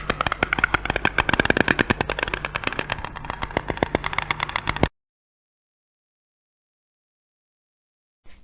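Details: A White Stork, which has no song, clatters its bill in a fast, dry, wooden rattle for about five seconds as its call, then silence follows.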